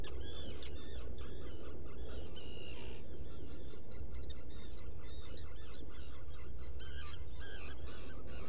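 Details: Black Guillemot in a nest burrow among rock crevices at Seal Island NWR, Maine, early morning of 20 June 2018. Rapid series of nasal, harmonic notes, some rising and falling, with a brief drawn-out note near three seconds, over a steady low rumble.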